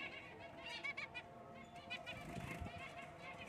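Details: Black cheek jumbo zebra finch giving short nasal, buzzy calls in quick bursts, some doubled, over a steady low hum and murmuring background.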